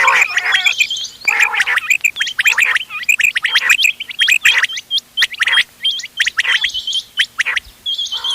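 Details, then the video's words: Quails of several local types (ghonge wal, doghla, changa), 31 October 2025, recorded for hunting: a dense, continuous run of hooked chirps and rough, gargling notes from several birds calling at once. "گھونگے وال دوغلا چنگا بٹیروں کی مکس آواز quail bird sounds for hunting bater ki awaaz"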